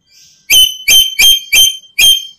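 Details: Black-capped lory, used as a lure for trapping other lories, giving five quick, piercing whistled notes about every half second, slightly higher and more drawn-out than a plain chirp.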